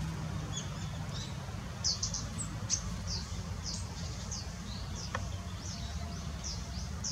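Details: Long-tailed rosefinch, male and female, recorded 20 December 2016: thin, very high, short whistled call notes scattered every half second or so over a steady low background rumble.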